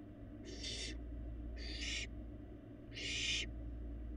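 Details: Barn owl fledgling feeding inside a Florida nest box on a live cam; three breathy hisses, the last one longest and loudest, over a low background hum.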